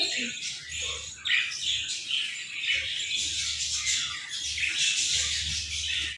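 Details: Pet Latino budgerigar, a mother with her chicks, amid dense continuous chirping and squawky chatter, harsh broadband calls overlapping throughout with no pauses.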